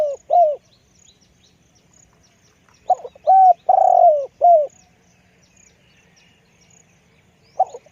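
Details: Deep-voiced spotted dove serving as a decoy bird, giving a short double coo, a long pause, then a full phrase of stuttered notes, a long coo and a falling coo, faint stutter at close.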